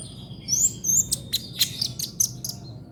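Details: Brown-throated sunbird (kolibri ninja) singing in the rapid trotol style, for tutoring cage songbirds: high thin whistled slurs, then a run of sharp chirps spaced about a third of a second apart, over a low steady hum.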